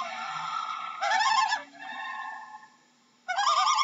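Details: Loon calling: a wavering, quavering tremolo burst with rich harmonics, followed by a steadier held tone, then another loud tremolo starting after a short quiet gap.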